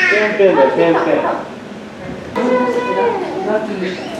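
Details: A southern rockhopper penguin chick at Kasai Rinkai Aquarium, Tokyo, in June 2021, gives shrill, reedy begging calls in two rapid bursts, asking its parent for food.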